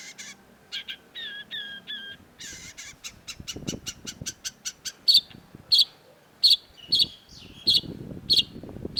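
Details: A long-tailed shrike on a masteran recording moves through varied whistled phrases into a fast rattling run of clicky notes, then loud sharp high notes repeated about every 0.6 seconds.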